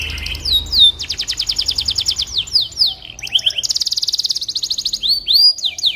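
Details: Canary singing as tutor audio for magpie robins: swooping whistles, then a long rhythmic trill of evenly repeated notes, sharp downslurs and another fast high trill, loud and clear.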